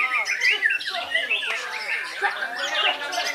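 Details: White-rumped shama from Belitung island pouring out a busy, squawky medley of harsh chatters mixed with short bright whistles, packed tightly together with almost no pauses.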